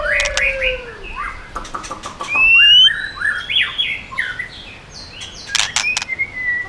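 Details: White-rumped shama song, 'yến reo' voice with voice switching and tail flicking to provoke birds: a descending low whistle, then rapid sharp clicks and a run of varied rising and falling whistled notes.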